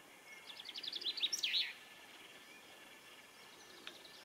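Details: Territorial boundary quarrel between two pairs of three-toed woodpeckers, females and males squabbling, in Lillomarka, Oslo, Norway; a brief burst of quick high chattering notes builds to a louder cluster, then fades to quiet outdoor hiss with one faint later note.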